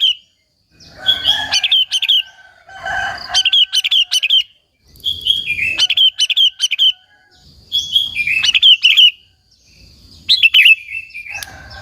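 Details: Sooty-headed bulbul in lively song used to provoke and lure other bulbuls: bubbly, liquid phrases of several quick notes, repeated about every two to three seconds with short pauses and faint low rumble between.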